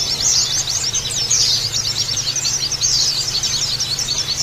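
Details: White-eyes (pleci) in a noisy group, a recording for prompting rough chattering and open-beaked singing; shrill, quick chirps and short trills crowd together steadily, accompanied by a soft low background drone.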